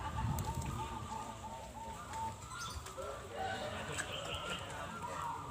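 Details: Zebra doves (perkutut) at a local Nusantara zebra dove contest in Bolorejo village, Kalangbret, Tulungagung, East Java, Indonesia, 2022; soft rhythmic cooing notes repeat quickly over a loud background of crowd talk.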